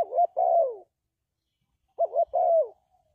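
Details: Two mellow spotted dove coo phrases about two seconds apart, from a lure recording for trapping doves. Each is a short stuttered double note ending in a longer, falling coo, with silence around them.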